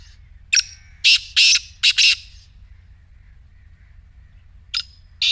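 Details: Black francolin call meant to set a quiet partridge calling: a grating series of loud, harsh notes, two close together then a pair, followed by a pause and two more notes at the end.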